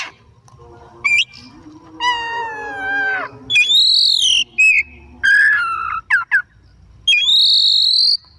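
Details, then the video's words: Oriental magpie-robin, a kept bird, in full afternoon song used to spur other birds into singing. Bright high whistled phrases alternate with a long descending mewing note, in separate bursts with short pauses. "Burung Kacer Gacor || Bahan Istimewa Pancingan di Sore Hari"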